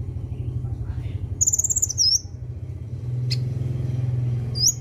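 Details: Sunbird used to train a young bird to sing: high, thin, rapidly trilled whistled phrases with a falling end, and a sharp chip, over a loud low engine-like hum.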